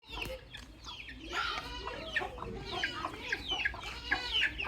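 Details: Baby chicks peeping: a busy stream of high, thin, downward-sliding cheeps, overlapping and irregular, with some lower harmonic clucking notes in the middle of the clip.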